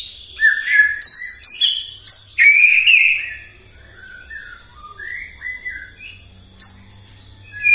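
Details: Morning provocation song of a white-rumped shama meant to stir other birds: quick high chips and squeaks open into a rich warbled phrase, then scattered softer whistles and a final sharp high note.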